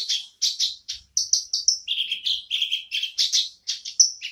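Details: Black-browed barbet song, heard again after being quiet: clipped high notes in quick bursts, shifting to a run of slightly lower notes midway, then a rising whistled note and sharp chirps.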